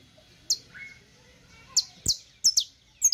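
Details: Saffron finch singing for teaching purposes, sparse high sharp chips given singly and in quick pairs, with brief pauses between them over a quiet background.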